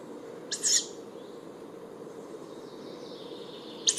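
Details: Harsh hissing screech of a young tawny owl, repeated after about three seconds, over a steady low background hum.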